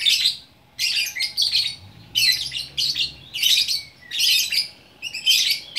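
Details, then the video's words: Gacor orkestra singing from a single lovebird in Bukittinggi, West Sumatra, Indonesia: repeated half-second bursts of harsh, squawky chatter with high squeaks, spaced by short gaps, and a faint low hum. "Burung Lovebird Gacor Orkestra"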